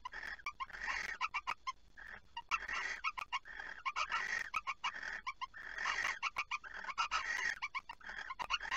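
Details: Barn owls at an It Fryske Gea site at 23:36 on 5 August 2019, during prey transfer and mating, give harsh, rasping chitters and screechy bursts in rapid clusters, with brief pauses and sharp clicks between runs.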